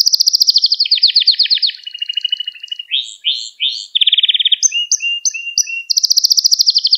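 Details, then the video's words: Gloster canary singing to stimulate other canaries and train young birds: fast clean trills at high pitch, shifting into buzzy lower rolls, quick swept notes and short repeated whistles, then a bright trill again. "Gloster Kanarya Sesi Ve Ötüşü | Kanarya Huylandırma | Kanarya Kızıştırma"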